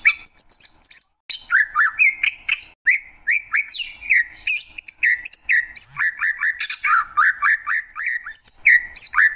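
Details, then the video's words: Energetic greater green leafbird song of quick repeated downslurred whistles, about four per second, interleaved with high scratchy buzzing and chattering notes, a nearly nonstop varied stream. "Cucak ijo, suara kicauan burung yang indah."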